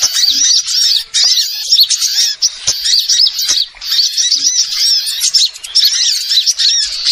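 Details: Small birds in a lure recording used to attract wild birds for trapping: dense, overlapping high chirps and twitters pour out almost without pause, broken by a few brief gaps near one and four seconds.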